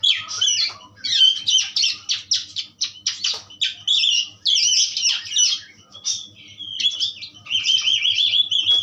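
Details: Continuous chattering song of an Asian pied starling, presented as a strong tutor recording: dense runs of rapid squeaky notes broken by clear whistled slides and short harsh squawks, with a faint low hum behind.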